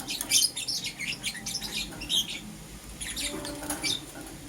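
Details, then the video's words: Green opaline and lutino lovebirds kept as pets, calling in the morning with dense clusters of shrill, high twittering chirps, busiest at the start and again near the end, with a low background hum. "Lovebird Chirping Sounds"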